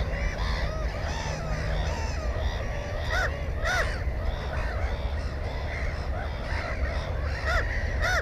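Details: Black-headed gull nest, one egg and one chick, recorded on GoPro 4: scattered, grating kek-like calls rise from a busy colony background, with a few sharper nearby cries and heavy low-frequency noise.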